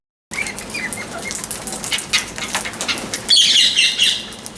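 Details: Parrot giving scattered short chirps at first, then a loud, dense burst of high, shrill chattering that holds for about a second before easing off, over constant soft rustling and clicking.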